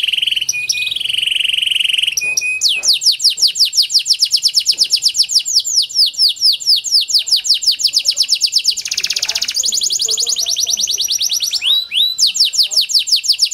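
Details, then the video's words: Kenari Panda canary song for prompting silent canaries: opening steady whistles, then a long fast series of descending sweeping notes, a brief buzzy burst, and more rolling trills. "Pancingan Kenari Panda AMPUH, Membuat Kenari Malas BUNYI Jadi Bunyi"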